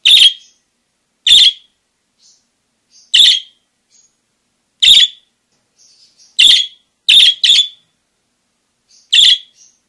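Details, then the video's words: Parakeet chirping vigorously, eight loud, sharp, high chirps at irregular intervals of about one to two seconds, some in quick pairs, with faint softer twitters between them and an otherwise silent background. "Suara Kicau Burung PARKIT GACOR"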